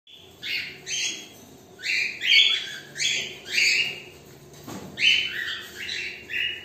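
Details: Female cockatiels give repeated high, slurred chirps and squawks in quick overlapping bursts.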